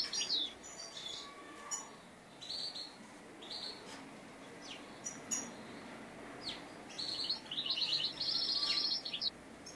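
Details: European goldfinch heard during a trapping session, giving scattered short high chirps and twitters over several seconds, ending in a denser twittering burst, with faint clicks and a low background hiss.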